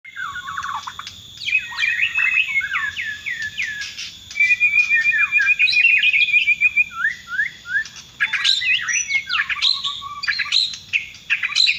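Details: Bornean White-rumped shama singing: a rich varied stream of whistled slurs, rapid chattering trills and a long even rattle of repeated notes, loud and continuous, with a faint steady high tone in the background.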